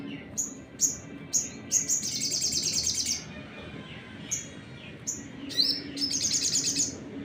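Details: Crimson sunbird used as a lure song meant to provoke other birds: sharp, very high chirps at irregular intervals, then bursts of rapid, thin, buzzy trills, with faint low background hum.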